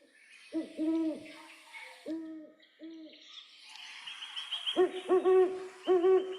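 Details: Great Horned Owl giving classic deep, soft hoots: one longer hoot and two short ones, a pause, then a quicker run of stuttered hoots, over a faint hiss.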